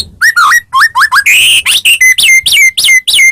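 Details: White-rumped shama of the Medan type in very active song, used to provoke other shamas into singing: loud, varied whistles, upslurred and looping notes, then a run of repeated bright descending whistles.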